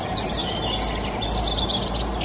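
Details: European serin (Serinus serinus) delivering a quick, wheezy-tinkling cascade of very high notes for about one and a half seconds, then fading, with low background rumble.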